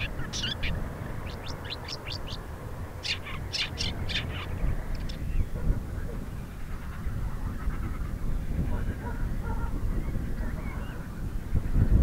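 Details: Woodchat shrike, a rare visitor to Crimea, singing a fast run of short scratchy and whistled notes in the first five seconds, then falling quiet while strong wind rumbles through the microphone.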